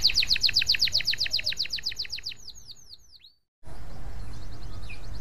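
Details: Canary in energetic song used to coax other canaries into singing: a loud, rapid trill of about four notes per second fades into descending swooping whistles, then a brief silence before background noise returns.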